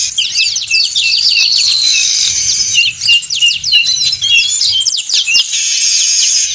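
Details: Weaver chorus meant to draw in birds: a busy tangle of squeaky, buzzy chirps and looping high notes, brief dips near three and five seconds, a low murmur underneath.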